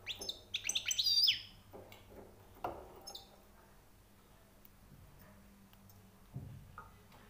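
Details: Freshly caught European goldfinch bursting into a rapid, high, tinkling twitter with jangling notes, followed by scattered clicks and a few soft, sparse notes.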